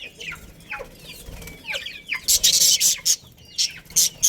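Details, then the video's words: Budgerigar breeding pair in a colony: a few warbled curling notes, then a rapid run of loud, harsh chirp bursts in the second half. "Cute Budgies Chirping Sounds"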